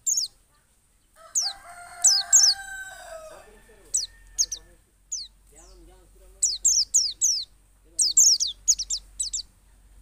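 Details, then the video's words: White-eye (pleci) from Pacitan singing in the ngalas and nembak styles, used as a lure to get other white-eyes to open their beaks and sing: bursts of high, thin, downward-slurred notes in quick runs, with a rooster crowing once in the background. "pleci dakun Pacitan ngalas dan nembak || Pancingan pleci agar buka paruh."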